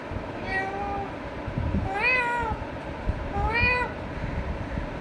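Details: Pet Indian ringneck parakeet talking to himself: three drawn-out, harmonic-rich vocal notes that rise then fall, each about half a second, spaced irregularly over a low background rumble.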